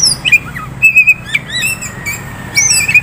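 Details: Captive prospect Oriental magpie-robin from a Kisaran bird dealer giving a short burst of varied song: clear level whistles, quick slurred chirps and a high arching note near the end.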